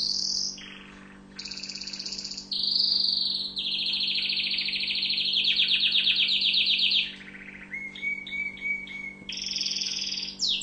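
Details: An orange Tunisian canary (Serinus canaria) sings a long, varied song for tutoring, with rapid trills, buzzy rolls and bright whistled notes, shifting between phrases every second or two, over a faint steady hum.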